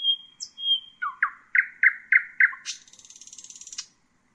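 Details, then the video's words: Common nightingale song: a long steady whistle, then a series of loud, short, dropping notes speeding up, ending in a high, harsh, buzzing trill lasting about a second. "Common nightingale,beautiful birdsinging"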